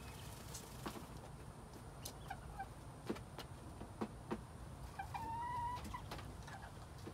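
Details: Quail call from spring 2021: one clear, slightly rising whistled note lasting under a second, amid scattered clicks and low rumbling background noise.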